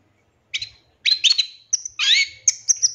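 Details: Long-tailed shrike, full-fill master song used to train captive birds: varied phrases of sharp chirps, a buzzy trill, a squealing downslurred note and thin high whistles.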